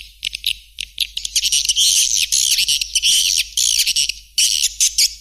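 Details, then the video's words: White-nest swiftlet calls: shrill, buzzy twittering in short overlapping bursts, a nearly continuous high chatter broken by brief gaps, with no other clear sounds. "SP burung walet putih"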